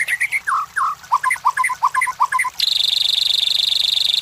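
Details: White-rumped shama lure song for competition birds: downslurred whistles and bouncy short repeated notes, abruptly followed by a continuous high buzzing trill.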